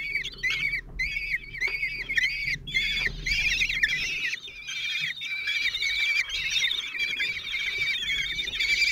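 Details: Four common kestrel nestlings aged 16 days, a nest in Théding, 26 June 2023, during a feeding by the father; a steady wash of high, quavering squeals overlapping throughout, with faint rustling below.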